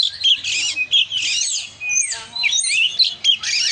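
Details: Full-voiced oriental magpie-robin song of dense, varied phrases: sharp whistles, twisting slurs and a descending run of notes near the middle, delivered almost without pause.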